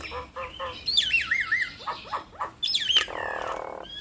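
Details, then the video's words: Nias hill myna in a two-bird calling bout: a few short low notes, then loud descending whistled wavering calls, scattered clicks, and a second whistled burst over a buzzy raspy noise toward the end. "Duet Maut Jalak Nias Bikin Ribut Semua Burung Jalak"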